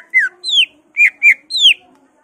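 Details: Greater green leafbird (cucak ijo) singing energetically, its song said to be packed with imitated fills of magpie-robin, laughingthrush, cililin, kapas tembak and canary; five loud clear whistled notes, mostly downslurred, in quick succession over near silence.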